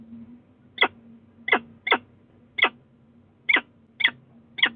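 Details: At the Sussex Heights nestbox in Brighton, late on 22 February 2018, a peregrine falcon gives seven short, harsh, clipped calls at uneven intervals of about half a second to one second, over a steady low electrical hum.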